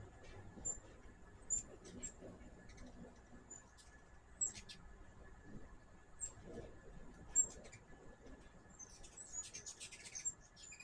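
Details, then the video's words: Hummingbirds at a backyard feeder give sharp, very high chips, spaced a second or more apart, then a quick high twittering burst near the end over a faint low background hum. "My first hummingbird video with natural sound."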